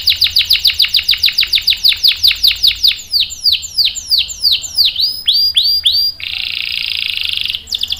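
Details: Lively canary song for tutoring young males; a steady series of ringing downslurred whistles, slowing into paired notes and clicks, then a short dense buzzy trill.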